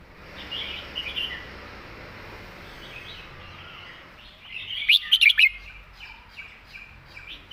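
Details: Red-whiskered bulbul singing in the phleng mae bot (master song) style with well-turned phrasing. Soft warbled notes come first, then a loud burst of quick, bright, whistled notes near the end, with faint background hiss.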